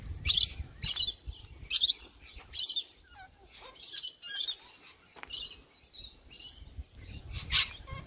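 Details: Sulphur-crested cockatoo visiting in the morning: loud, harsh, raspy screeches in short bursts, several in quick succession in the first three seconds, then more scattered and fainter squawks, with one last strong screech near the end.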